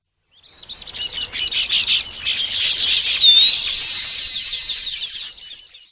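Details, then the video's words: Baya weaver in Sri Lanka giving a dense, buzzy chattering of high chirps and wheezes, building into a sustained sizzling trill that lasts about five seconds. "baya weaver sound"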